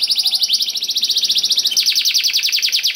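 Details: Canary song used to lure other canaries into singing: a dense, very fast high trill of repeated pulses, about two per second groupings, continuing without pause for the whole stretch.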